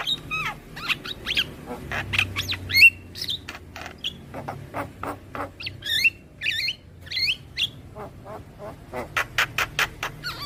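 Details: Young Javan myna singing a tutor song for training young birds, mixing squeaky twisting whistles, raspy notes and fast clicking strings, with a faint low hum in the background.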